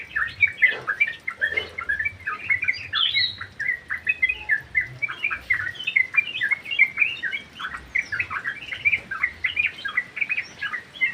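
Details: Sooty-headed bulbul (trucuk) singing in an aviary: a dense, continuous stream of short bubbly chirps and whistled notes, overlapping and rising and falling, with a few louder sharp notes throughout.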